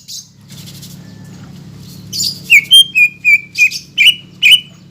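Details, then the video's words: Greater green leafbird song used as a lure for a caged bird reluctant to sing: after a quiet murmuring start, a run of about eight loud, clear whistled notes follows in quick succession over a low hum. "PANCINGAN CUCAK IJO GACOR BUAT CUCAK IJO MACET BUNYI,MALAS BUNYI"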